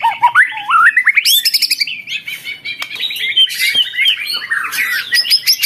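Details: Song of the white-rumped shama, played to provoke rival shamas into singing back; rising whistled notes lead into dense, fast, varied chatter and mimicry-like phrases, loud and continuous throughout.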